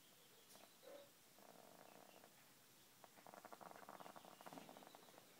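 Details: Congested Easter Egger hen treated with antibiotics for an upper respiratory infection, breathing noisily while trying to sleep; a soft nasal squeak, then a drawn-out hiss and a long run of fast rattling, crackly pulses.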